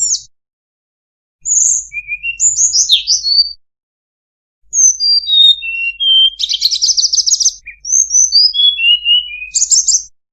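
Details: Sunda bulbul song from a masteran training recording with full fill-in phrases: bright, high whistled notes and slurs, falling and rising, with a rapid buzzy trill near the middle, in bursts separated by a short silence.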